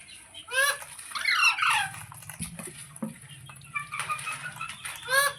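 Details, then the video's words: Screechy calls from a pet ringneck parrot: a rasping downward-curving squawk, a dense harsh burst, then softer chatter and a final arched squawk, over a low steady hum. "Ringneck Parrot Sounds"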